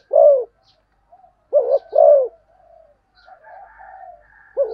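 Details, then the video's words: Spotted dove cooing in the fast 'thúc gù tốc độ' style: a lone low coo, then a quick pair of rounded coos, a quieter wavering call, and another coo starting at the end. "cu gáy thúc gù tốc độ"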